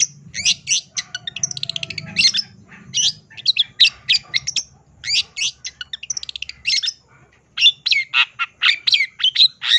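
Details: Long-tailed shrike, a caged bird that had stopped singing, now in full song: dense bursts of harsh chattering, buzzy trills and sharp chirps, delivered in quick runs with short pauses.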